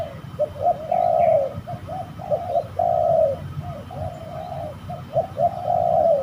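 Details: Spotted doves fighting as birds are trapped at a rather haunted-feeling spot: a steady stream of hoarse coos, long drawn notes alternating with short hooked ones, over a low background rumble.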